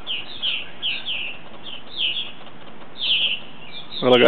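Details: Purple martins arriving at their colony for the night, giving spaced, slurred chirps, then a loud rustling or handling thump at the end.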